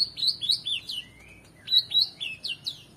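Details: Oriental magpie-robin singing at full intensity for training competition songbirds: a run of rich, slurred whistles rising and falling, a brief low drawn-out note, then another sequence of bright warbled phrases.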